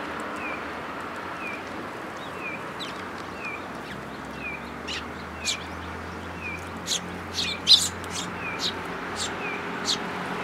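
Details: Sparrows feeding in a plum tree at a Tenmangu shrine, 22 May 2022: faint thin whistles early, then a cluster of sharp high chirps building in the second half, with constant low hum.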